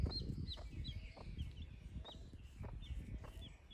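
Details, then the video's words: Domestic chicks with a broody hen as the hen scratches the ground: high, thin, downward-slurred peeps repeat about every half second, partly buried under a loud low rumble and scuffling. "Sonido de pollitos. Baby chick sounds"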